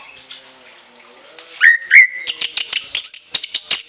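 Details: An orange-headed thrush delivers shrill song bursts from its long fill-in repertoire: two loud whistled notes rising slightly, then a fast series of very high, sharp chips and thin whistles.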